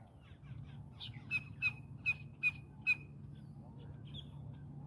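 Grey-headed swamphen giving a quick burst of five harsh, nasal squawks about half a second apart, over a steady low hum.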